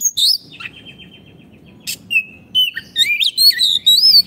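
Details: Kacer, or Oriental magpie-robin, singing a 'gacor' masteran song meant to train caged birds that have gone quiet: a long even whistle and a rapid trill, then rising and falling whistled phrases with scratchy high notes.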